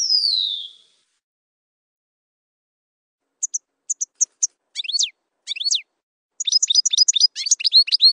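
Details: European goldfinch, campero song: a descending buzzy note, a long pause, then a few isolated high clicks, two sharp rising-falling swoops, and a closing burst of rapid twittering chirps.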